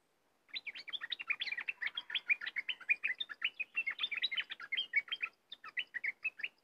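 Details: Cream-vented bulbul in a long burst of rapid chattering song: dense, clipped notes jumping between higher and lower pitches about ten times a second, with a brief pause near the end before it resumes.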